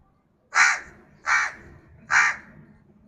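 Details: Crow calling: three loud, harsh, hoarse caws spaced about three-quarters of a second apart, each short and rasping, over a quiet low background hum.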